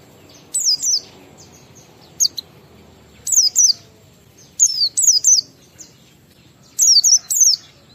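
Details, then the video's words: Oriental white-eye singing a lure song to set other white-eyes singing: paired high, down-slurred whistles repeated roughly every one to two seconds. "Suara Burung PLECI Ngalas sambung wiksar Bongkar Isian memancing semua pleci cepat gacor buka paruh"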